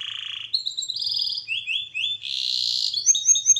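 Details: Canary training song with varied tours: a buzzy low roll, rising chirps, slurred whistles repeated a few times, a dense rattle, then short high notes.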